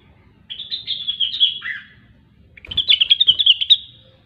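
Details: Grey-cheeked bulbul, or cucak wilis, singing in gacor style: a warbled whistled phrase ending in a lower slur, then a fast rhythmic trill of high notes, with a brief knock at its start.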